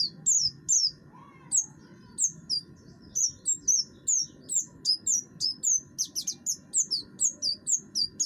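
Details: Caged oriental white-eye, buxtoni form, with a harsh song for provoking other birds into singing; lively high chirps sliding downward, delivered in a brisk, slightly uneven series over a faint hum.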